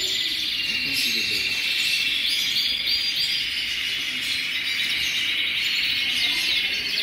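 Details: Large group of colorful canaries in full song, a thick, unbroken chorus of bright, high-pitched warbles and fast trills from many overlapping birds, with no clear gaps and even volume.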